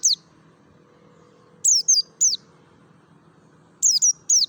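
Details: Mountain white-eye of Merapi, wild forest-style sound as a lure for caged birds: sharp high descending chips, one at the start, a group of three after a long pause, then a quick burst of three to four at the end.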